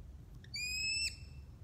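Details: A male American kestrel indoors on a dreary, cold day in Minnesota gives a single drawn-out, high, even whine of about half a second, after two faint short notes, over a quiet low hum.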